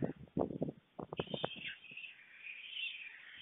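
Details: Two white stork chicks on a nest at a webcam in Fohrde, Germany, 28 July 2019 at 3:58 pm, reacting eagerly to a visiting parent in hope of food; knocking and tapping sounds, then a drawn-out, wheezy high call that wavers steadily.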